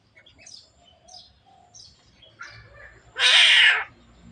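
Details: Javan myna talking until it coughs: several short high whistled notes spaced about half a second apart, then one loud broad harsh burst lasting under a second.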